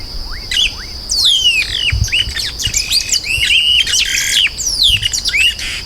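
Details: Yellow-rumped marshbird song, recorded clean without added effects: rapid bright whistled notes sweeping steeply downward, overlapping chattering phrases, with short rising whistles in between and a steady high tone running through.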